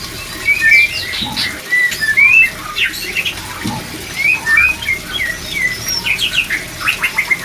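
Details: White-rumped shama singing to raise breeding drive: lively varied phrases of whistled slides, chips and rapid repeated notes, rising and falling, steady throughout with soft background hiss.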